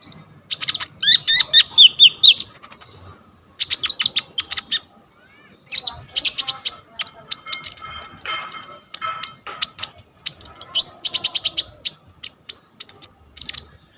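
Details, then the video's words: Konin in full, lively song, offered as a tutor recording for kolibri ninja, filmed on a vivo Y21 phone; dense bursts of high twittering, trills and rapid chip series with short pauses between phrases. "KONIN GEACOR FULL ISIAN 99% COCOK BUAT MASTERAN KOLIBRI NINJA TROTOL/IJOAN"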